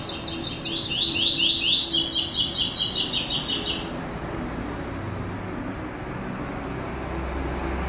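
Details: White-throated seedeater, classic tuí tuí zel zel song with third note: rapid high slurred notes shift into a rich buzzing trill lasting nearly four seconds, then quiet low rumble for the remainder.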